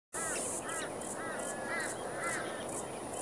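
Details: Plumed whistling duck (Dendrocygna eytoni) with young along Priors Pocket Road near Moggill, Queensland: a string of short, arched, high whistles from several birds overlapping, over a steady shrill insect hum.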